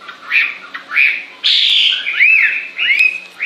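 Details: Bird delivers harsh rising chirps, a rough buzzy burst, then clear arched whistled notes repeated about every half second.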